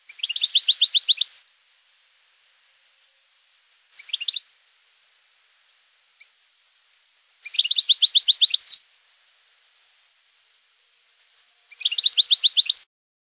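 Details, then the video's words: Campero-style song of a European goldfinch, given as three main bursts of fast, high, trilled notes about a second long, plus a brief fainter fragment, separated by silent gaps of several seconds. "El Jilguero"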